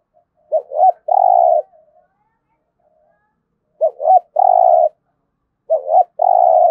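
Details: Spotted dove in 'thúc gù' cooing style, recorded for daily decoy-bird training: three phrases, each two quick wavering hoots followed by a long, even, droning coo, spaced about two and a half seconds apart, with silence between.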